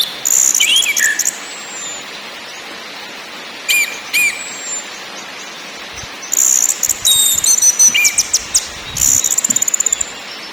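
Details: Orange-headed thrush singing: scattered high trills and slurred whistles, a quieter stretch, then long rapid rattling phrases mixed with sweet warbled notes near the end.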